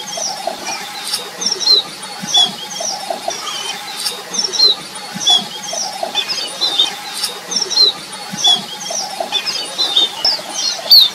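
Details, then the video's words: Red avadavat calling while eating: thin, high whistled notes and soft chirps repeated irregularly every second or so, with faint rustling throughout. "Red Avadavat eating and sound"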